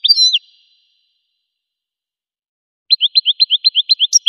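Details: Goldfinch song: a brief swooping whistled phrase, a long silence, then a rapid run of identical short chirps repeated about four times per second.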